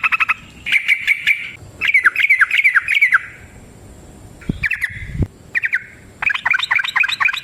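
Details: Long, fighting-style Sooty-headed bulbul song meant to provoke other birds into answering. Rapid clustered chirps in short runs separated by brief quiet gaps, with a couple of dull thumps midway.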